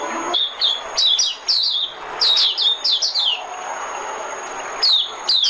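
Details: White-eye used as a decoy, singing short bursts of sharp, high chirps that drop in pitch. Each burst holds two to six notes, with brief pauses between, over light background hiss.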